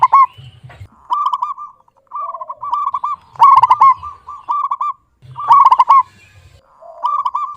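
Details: A local zebra dove in full voice, clear toned and good for luring: repeated short purring coos of quick pulses, with louder stuttered bursts about every two seconds and faint low murmurs between.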